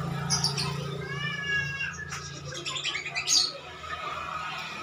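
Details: Javan myna, described as a clever talker, giving a run of harmonic, speech-like whistles and rasping notes over about two seconds, then scattered sharp chirps, with a steady low hum underneath.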